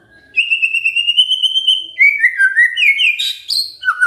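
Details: White-rumped shama giving a 'kretekan fighter' call to provoke silent shamas to answer: a long steady whistle, then a stepped series of falling slurred notes and a sharp high crackling burst.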